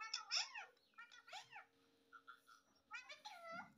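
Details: Talking parrot (mitthu, tota), said to say words like "mummy papa"; short harmonic, word-like phrases, some swooping, others flat and nasal, come in bursts with quiet gaps, over a steady low indoor hum.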